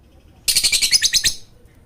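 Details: Short lovebird chattering burst used to lure silent lovebirds into singing: about nine quick, high, rasping pulses packed into under a second.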